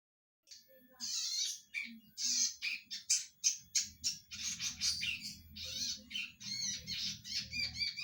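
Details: Red-headed zitting cisticola with a loud voice: harsh, buzzy, high chattering notes in rapid bursts, some rasping and scratchy, repeated almost without pause over a low background hum.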